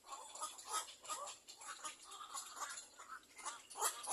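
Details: Little black cormorant chicks calling while they wait for their mother to feed them: rapid harsh, squeaky bursts, about eight in four seconds, over a steady high hissing background.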